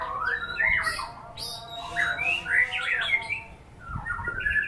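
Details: Songbird performance by a white-rumped shama: varied whistled phrases in separate bursts roughly every second or so, sweeping up and down, with a soft low thump near the end.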